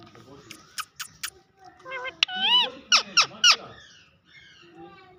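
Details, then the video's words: Talking parrot speaking Urdu words while face to face with the camera indoors: a run of squeaky, wavering syllables and sharp whistled notes, rising and falling, with brief gaps between bursts and faint background music. "Beautiful Face to Face talking Parrot. Bolny Wala Totta. Urdu Talking Parrot"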